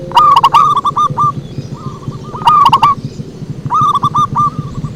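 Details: Zebra dove song used as a lure call, three bursts of quick, trilled cooing notes about every 1.7 seconds, each opening with loud clicking accents, over a constant low hum.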